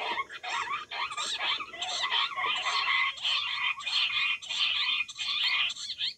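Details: Wild quail calling loudly and continuously: dense, scratchy chattering notes with quick rising and falling inflections run together for several seconds, with only brief pauses between phrases.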